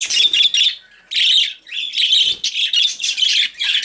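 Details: Budgies chattering in bursts of high, buzzy warbles and squawks, broken by short pauses, with one brief gap of near silence after the first second.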